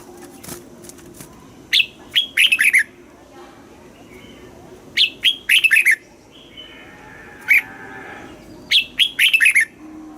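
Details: Red-whiskered bulbul song, southern master style, played to teach young birds: repeated brisk phrases of several quick bright notes about every three seconds, with soft background murmur between phrases.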